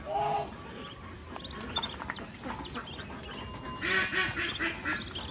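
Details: Countryside farm scene of a mother duck bringing ducklings to eat: one clear nasal quack at the opening, then scattered clicks, feeding noises and a burst of broadband rustling.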